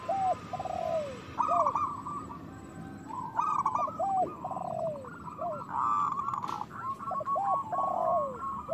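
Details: Local zebra dove, a loud singer played to stimulate idle or moulting doves: continuous overlapping phrases of quick staccato coos and lower descending slurred notes, with steady background hiss.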